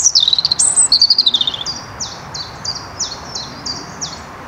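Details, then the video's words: European robin recorded in the Netherlands in 2023: a rapid, high warbling phrase of wavering notes, followed by a series of about eight short, high, evenly spaced downslurred notes repeated roughly every third of a second, with soft background hiss. "Roodborstje - Robin"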